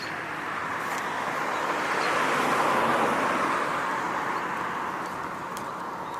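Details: Outdoor roar of passing road traffic that swells in the middle and fades again, with a few faint ticks but no clear animal voice.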